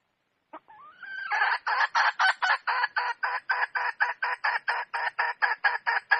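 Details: Red junglefowl hen, wild: after a faint rising note, a steady run of loud, harsh, broad clucks repeated about twice per second, each short and evenly spaced, continuing to the end.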